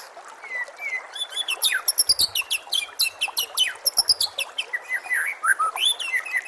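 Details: White-rumped shama song compiled as a tutor track for caged birds: dense, fast chirping with sharp high notes and short whistles, tumbling together in a continuous varied stream with brief low thumps.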